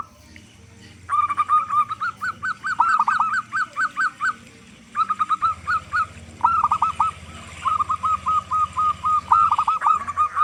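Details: Used as a lure so doves begin calling, a strong-voiced local zebra dove gives long runs of fast repeated cooing notes in several phrases, with a low hum underneath.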